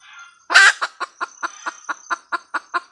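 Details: A red junglefowl hen lets out one harsh squawk, then a steady string of short clucks about five per second, with a high insect drone in the background.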